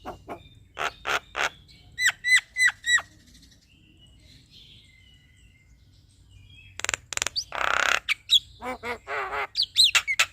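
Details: Male black-winged myna singing to provoke a reluctant bird: a run of loud broadband notes, then four bright hooked whistles, a pause, and a burst of harsh rasping squawks mixed with chattering, whistled notes.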